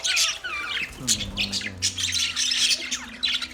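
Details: Budgerigars in a colony giving sharp squawks and quick whistled slides, with a lower drawn-out harmonic call in the middle and busy chirping throughout.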